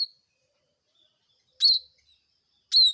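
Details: Bar-winged prinia, loud and clear against silence: two sharp, high chirps about a second apart, each snapping down from a bright attack into a short ringing tone.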